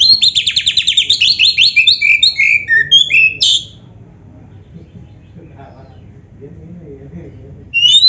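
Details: Oriental magpie-robin with black breast, tutor song for caged birds to answer: a rapid rhythmic volley of repeated chirps for over three seconds, then near silence with faint murmurs, a fresh whistle returning at the end.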